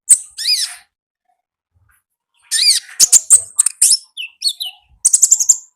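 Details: Wild konin in chattering 'gacor' song: a downward-sweeping whistled note, a pause, then a quick series of high chips, whistles and a fast closing trill.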